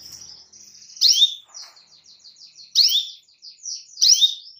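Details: Canary calling a rival, giving high rapid trills punctuated every second or so by loud downward-sweeping chirps, three in all.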